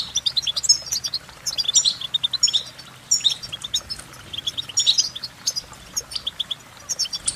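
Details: Goldfinch singing a lively, liquid twitter of sharp high notes and clustered trills in bursts roughly every second, with short gaps between phrases.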